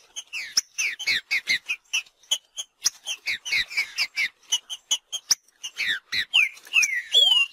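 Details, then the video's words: In nature, a green-winged saltator sings fast, jumbled slurred whistles mixed with crisp ticks, roughly two or three notes a second. The song closes with a longer, swooping whistle. "TRINCA FERRO MACHEANDO NA NATUREZA"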